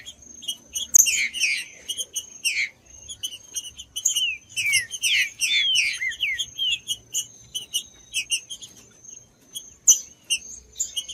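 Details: Green-winged saltator song used to warm up a cold bird: a mid-clip burst of curving, downward-sliding whistled notes among many sharp high chirps, over a thin continuous high-pitched tone.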